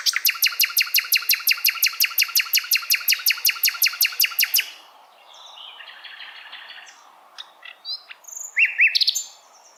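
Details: Asian brown flycatcher song recorded as a tutor for songbirds: a steady machine-gun trill of sharp repeated notes lasting over four seconds, then faint scratchy sounds and a few rising whistled slurs near the end.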